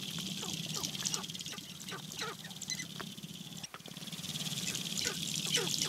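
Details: Several sharp-tailed grouse at a spring lek in the Namekagon Barrens, Wisconsin, where males fight for dancing areas and display to hens, give rapid, overlapping clucks, cackles and chatter over a steady low hum and insect-like hiss.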